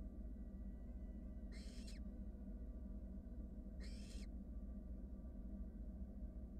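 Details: Two drawn-out hissing begging screeches from wild barn owl nestlings in a nest box while a sibling works down a rat, spaced about two seconds apart above low steady hum.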